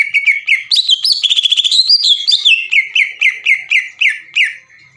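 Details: Greater green leafbird with long 'ngekek' rattling meant to provoke rivals: a very fast buzzy trill climbing and dipping, then evenly paced chirped notes repeated about four times a second, gradually slowing.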